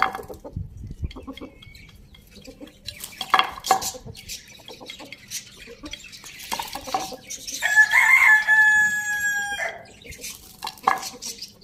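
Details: Village farm rooster crowing once, a long, loud, ringing cock-a-doodle-doo lasting about two seconds midway, preceded and followed by scattered scratching, pecking and soft clucks.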